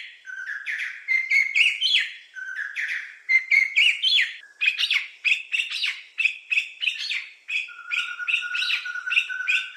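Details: Sri Lanka Spurfowl, a terrestrial forest bird of pairs in wet-zone lowlands and hills, giving its rollicking call: a rapid, overlapping run of rising, piping 'ki chaiku' notes that pours on without pause, with no other sounds.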